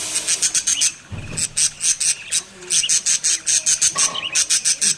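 A young budgerigar gives rapid, high, scratchy chirps, repeated several times a second in short bursts.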